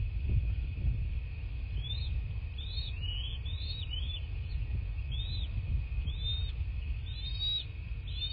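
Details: Southwest Florida bald eagle at the nest on 14 March 2024, 09:20, by nest cam: a run of sharp, chirping whistles that starts after a pause and grows quicker toward the end, against low rumbling and wind knocks.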